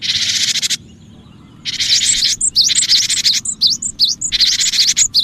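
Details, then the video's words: Lively cinereous tit on a bird-luring track, also used to stir quiet tits into song: a harsh buzzy burst, a pause, then sharp high whistled V-shaped notes tumbling rapidly amid more rasping sounds over a faint hum. "suara pikat Burung gelatik batu gacor"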